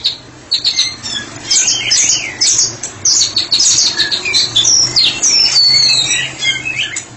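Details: White-rumped shama, described as a therapy specialist, singing ngeplong: rapid, varied high whistles, looping sweeps and twittering runs after a short quiet start, with a faint low hum beneath.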